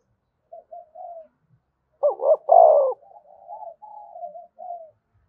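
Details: Spotted dove coo used to urge other doves into cooing: soft short notes, then a loud two-part gruff coo in the middle, followed by several quieter drawn-out coos.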